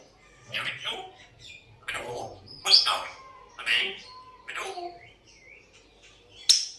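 An African grey parrot gives a run of short whistles and speech-like chatter, about six bursts over several seconds, some clear pure notes among harsher mumbles.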